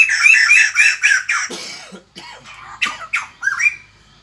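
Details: White-crested laughingthrush in its morning song: a fast burst of harsh, laughing squawks that breaks off into scattered lower grunts and a few separate rising chattered notes.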